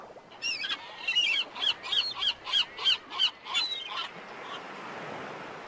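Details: Black-headed gull giving a rapid series of about eight harsh, nasal, screeching calls, roughly three per second, then falling silent over a low background hiss.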